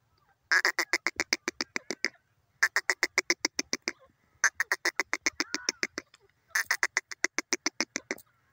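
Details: Grey francolin, or teetar, from Pakistan: loud series of harsh, evenly spaced clicking notes, about four per second, in four bursts of roughly one and a half seconds each separated by short pauses.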